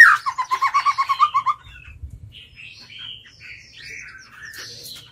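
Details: Captive White-rumped shama singing as a lure to challenge wild birds: a fast run of repeated whistled notes lasting under two seconds, followed by faint, scattered chirps and squeaks.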